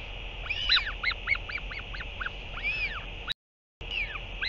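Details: Northern royal albatross calls recorded 8 June 2023 as a parent returns to feed its chick: a fast series of arched, honking notes about four a second, with a brief dropout into silence near the end, over steady low background noise.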